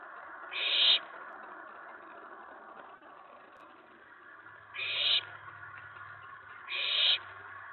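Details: At night on May 19, 2017, an excited owlet in a nest box gives three short, harsh screeches, the last two close together, over steady background hum.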